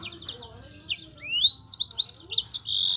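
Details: Rolling song of a Yellow-fronted canary, played to prompt lazy Mozambique canaries to sing. Bright, high whistled notes and a long rising slur are followed by a quick run of chirpy, descending phrases.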